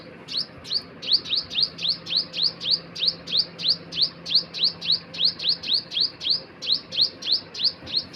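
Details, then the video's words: A bird repeats high, sharp chirps in a rapid, steady series of about three a second, each a brief slurred flick, over continuous low background rumble. "Birds sound"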